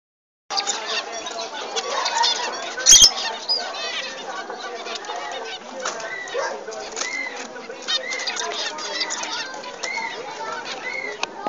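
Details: A male zebra finch of assorted colour mutation gives nasal, honking beeps amid busy, overlapping finch chatter.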